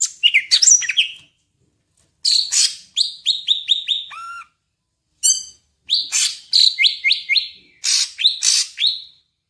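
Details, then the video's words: Full-isian song from a Medan-type greater green leafbird: bursts of rapid chirps and repeated rising whistles come in phrases separated by silent pauses, with one low buzzy wavering note midway. "cucak ijo medan_gacor full isian"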